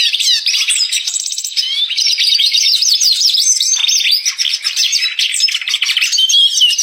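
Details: Unbroken high twittering from a red siskin singing 'gacor', a fast, loud stream of zigzagging chirps, buzzy trills and warbled notes lasting about seven seconds without pause.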